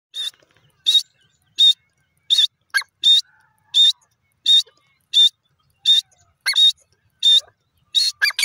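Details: Grey francolin giving its loud call: ringing high notes repeated about every 0.7 seconds in a steady rhythm, a few harsher notes mixed in, otherwise quiet background.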